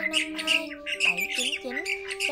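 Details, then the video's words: Migrating starlings, including white-headed starlings, give harsh chattering squawks and quick swooping notes in a rapid jumble, played as a trapping lure sound over steady droning background music. "Tiếng Bẫy Chim Sáo Đá Di Cư , Sáo Đầu Trắng"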